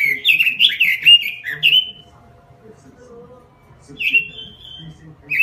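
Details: Caged robin in a small cage singing gacor (vigorously): a quick run of warbled, sliding high notes ending in a drawn-out whistle, about two seconds of quiet, then a rising whistled phrase; low background hum.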